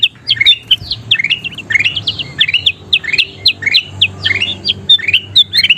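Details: Kutilang emas (bulbul) in lively song for training other birds: fast chain of clear, upward-swept whistles with occasional higher sharp notes, continuing without a break.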